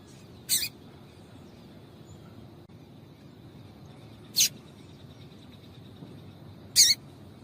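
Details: Sparse calls of a female double-collared seedeater used to excite a male: three isolated, sharp, high chirps several seconds apart over a quiet, hissy background.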